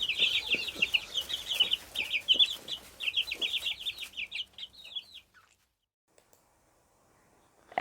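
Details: Chicks giving their cheep call: quick high peeps in a busy chorus for about five seconds, thinning to a few spaced notes, then silence before a sudden thump at the end.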